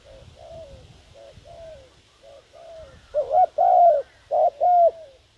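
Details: Spotted dove decoy calling to lure wild doves: faint distant coo phrases at first, then loud nearby coos in stuttered pairs and a long falling note, over low background rumble.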